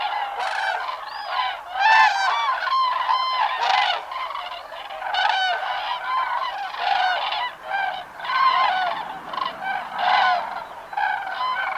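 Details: Migrating cranes calling in flight, a flock giving loud, harsh, trumpeting calls rich in overtones. The calls overlap and come in irregular bursts from several birds throughout.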